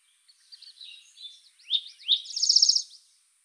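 A Spotted Towhee gives a few high, thin twittering and down-slurred notes, then a rapid buzzy trill lasting about half a second. Faint background hiss.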